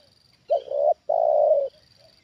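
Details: A single loud phrase from a trained spotted dove reacting to a lured wild bird: a brief clipped note, then a full, level coo lasting about half a second, with faint soft coos trailing and a thin high hum behind.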